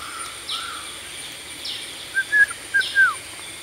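Blue-winged pitta giving two quick pairs of clear, loud whistles, the last note slurring downward, over a steady high insect hum and faint distant chirps.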